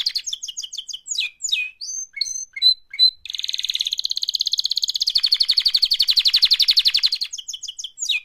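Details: Canary giving its mating-call song: a series of clear downward-sweeping whistled notes and chips, then a long, steady rapid trill of buzzy repeated pulses, closing with a few sharp swept notes.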